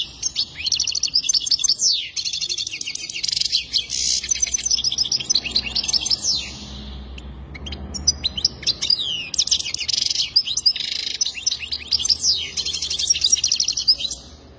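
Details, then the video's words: Goldfinch in long, lively song: rapid cascades of high, liquid twitters and buzzy trills, pausing briefly midway before resuming just as energetically. "اجمل تغريد حسون"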